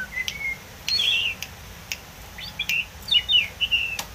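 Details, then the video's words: Wild Oriental magpie-robin singing in bursts: a few drawn-out whistles and bright falling slurs, separated by sharp clicks and brief silences. "BURUNG KACER GACOR ‼️ || SUARA PANCINGAN AMPUH BURUNG KACER ALAM LIAR"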